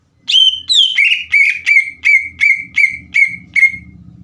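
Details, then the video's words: Green leafbird in full song meant to make other leafbirds call back: about ten loud whistled notes sliding downward, repeated nearly three per second, over a low rumbling background. "PANCINGAN CUCAK IJO GACOR AGAR CUCAK IJO BAHAN IKUT BUNYI"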